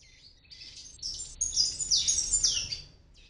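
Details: Young palm tanagers that hatched in an apartment oregano plant in Medellín, Colombia, on first flights: shrill, high-pitched twittering in quick irregular chirps, building to a louder jumble before stopping, with a last short note.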